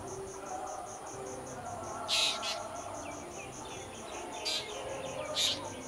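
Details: Drongo calling: three short, harsh, broadband bursts near the two-, four-and-a-half- and five-and-a-half-second marks, over a steady pulsing cricket chorus and a low hum of distant background noise.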